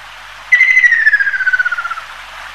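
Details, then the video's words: Ruddy kingfisher (Halcyon coromanda) giving one long rolling trill. It starts abruptly, then descends steadily in pitch over about one and a half seconds, with a pulsing, rattling quality and a quiet background. "赤翡翠/Ruddy Kingfisher"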